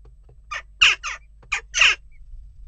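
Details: Western jackdaws amid unrest at a nest box: short, harsh, clipped chak notes in two loose pairs, each burst broad and raspy, with a quiet gap between pairs and a faint low hum beneath.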